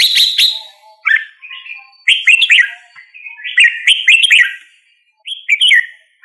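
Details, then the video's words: Red-whiskered bulbul singing: a high opening note, then several short phrases of bright, slurred whistles rising and dipping, separated by pauses of a second or so. "Red whiskered Bulbul Singing Call Sound"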